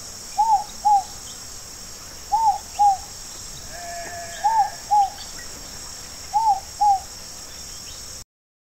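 An Inca dove gives soft, paired two-note coos, repeated about every two seconds, over a steady high insect hum.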